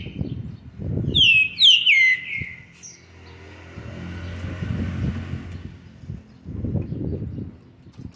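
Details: A young Green-winged Saltator, seven months and 20 days old, gives three quick, loud, clear whistles that each slide downward, then falls silent, over low traffic rumble and scattered knocks; recorded 13 November 2020.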